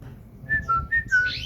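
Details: Brief song of a household common iora: four quick, clean whistles, alternating slightly higher and lower, the last note rising into a thin, breathy upper tone over a faint low hum.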